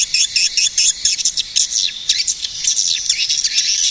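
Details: Swiftlet calls given as rapid, high, squeaky chirps in quick bunches, growing into a denser twitter in the second half.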